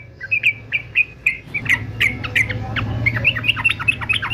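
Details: Male yellow-vented bulbul, described as a fighter, for song training: a series of short, clear, liquid notes in spaced pairs gives way to a faster run of chirping notes, over a low background hum.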